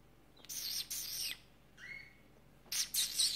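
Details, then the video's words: Pet female canary, recorded 25 February 2018, chattering back and forth with its owner: bursts of bright, high chirps, a short whistled note gliding downward mid-way, then another cluster of sharp twittering chirps. "Kanarie Henne Peach im Gespräch mit mir"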